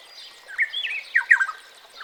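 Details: Ethiopian Black-headed Oriole (Oriolus monacha) giving a short run of liquid, slurred whistles, rising and falling notes in quick succession, with faint background hiss.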